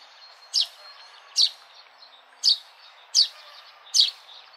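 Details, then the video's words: Single sparrow chirps repeated five times at slightly uneven intervals, each a quick, high, sharp note standing out over a soft hissy outdoor background. "Sparrow sound | natural peaceful sparrow sound | relaxing sparrow sound"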